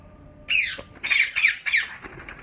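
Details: Yellow-coloured Indian ringneck parakeets kept in pairs at Mian Channu: one long harsh screech followed by three quick rasping squawks in close succession, loud and scratchy against a quiet indoor background.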